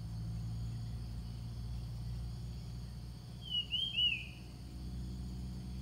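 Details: Ground thrush song played to lure wild birds. After several seconds of low droning background, one short whistled phrase of rising and falling slurred notes.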